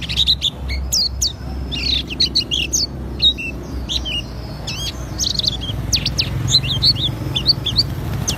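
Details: Oriental white-eye of the Auri type, singing vigorously in the ngriwik style and showing off its fill-in notes: fast, high, twittering chirps and short whistled slurs, densely packed throughout, over a low steady background hum.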